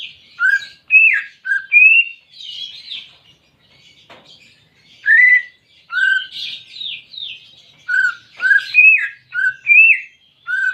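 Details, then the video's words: Greater green leafbird, a caged pet, song for stimulating a silent bird: rapid run of clear whistled and slurred notes mixed with chattery buzzy phrases, with a short quieter pause midway. "Terapi Cucak Ijo Malas Bunyi"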